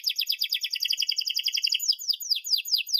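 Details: Canary singing as a tutor for young birds: a dense rapid trill of bright high notes, ending in several quick downward-slurred whistles.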